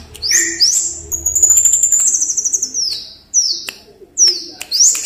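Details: Scarlet-headed flowerpecker in lively song, offered as a lure call: very high, thin notes, sweeping slurred whistles, a sustained shimmering trill, then a few sharp downslurred tsips.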